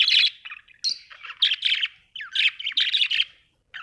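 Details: Budgies in a home setting chatter with buzzy, clipped notes and sharp upward and downward slurred squeaks, phrases running almost without a break.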